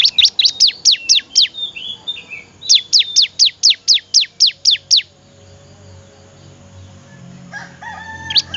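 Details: Master recording of a bar-winged prinia's melodious song for teaching other birds: two bursts of rapid, sharp down-slurred notes, around ten each, separated by a brief pause, then quiet with a faint fowl-like call near the end.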